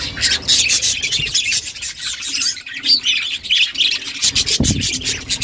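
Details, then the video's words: Budgerigar mother feeding chicks; scratchy chirps in clusters with a quieter stretch near the middle, plus rubbing, shuffling noises. "Budgies mother feeding chicks birds chirping sound"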